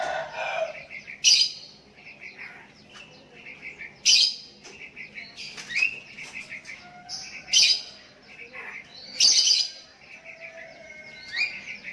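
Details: Sooty-headed bulbul answering back and forth with other bulbuls while calling to a rival; repeated loud sharp bursts about every two seconds mixed with softer twittering notes.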